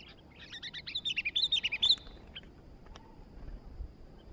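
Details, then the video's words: Sooty-headed bulbul in lively song: a fast run of bright chirping notes rising and falling for about two seconds, then quieter scattered ticks over low background rumble. "burung kutilang baru Gacor dor"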